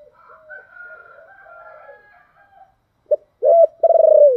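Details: A spotted dove in the 'thổ đặc' voice style calls to draw wild doves to respond. Quiet, wavering cooing opens the recording, then a short sharp note and two loud, deep, arched coos, the last one long and sustained.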